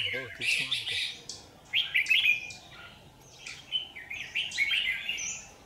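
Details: Lure red-whiskered bulbul at a trap along power lines, 27 January 2019; quick chattering warbles and slurred whistled phrases, a brief low voice at the very start.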